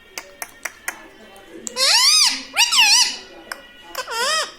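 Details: Pet parrot taught mummy papa gives three loud, arched, word-like calls after a few sharp taps, over faint background music in an indoor room.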